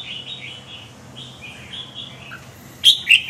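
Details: Red-whiskered bulbul delivering faint high warbles for most of the stretch, ending in two loud, sharp whistled notes; low background hum throughout.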